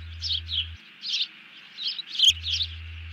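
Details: Bald eagle alerting after grabbing a fish as a second eagle ducks, 31 July 2020: a few spaced, squealing high notes with short pauses between, and a low hum that cuts in and out.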